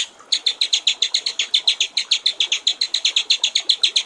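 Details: White-rumped shama, a clear master recording for training songbirds, set with trickling water: a fast, even string of high, sharp notes, about fifteen a second, held steady for nearly four seconds.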